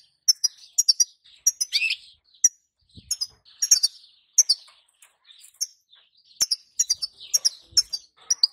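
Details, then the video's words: A female European goldfinch calls to set a male singing: a long series of high, bright chirp clusters every half second or so, with one buzzy descending note early and a few faint clicks. "بتبتة حسون جديده اتحداك أن يسكت معها غصب عنو سيغرد الحسون"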